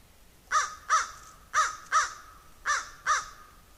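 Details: Noisy crow, heard while a squirrel goes after a raven: three pairs of loud, hoarse caws, each pair a fast double call, spaced about a second apart.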